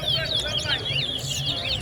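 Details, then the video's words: A Large-billed Seed-Finch (towa towa) sings a fast, rich run of warbled, slurred whistles during a B-class singing competition at Lusignan, Guyana, over people talking and counting. "Towa Towa Bird Competition"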